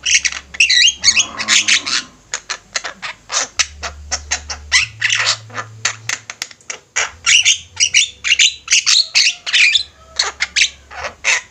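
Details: Group of Javan mynas in full voice for training birds: dense, continuous chatter of harsh squawks and rasping notes, overlapping and rapid, sustained over eleven seconds.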